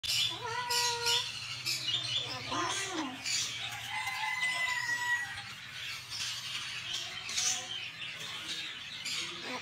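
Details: Baby parrots giving repeated short harmonic calls, some rising and falling, over continuous raspy high-pitched chatter, with a steady low hum throughout.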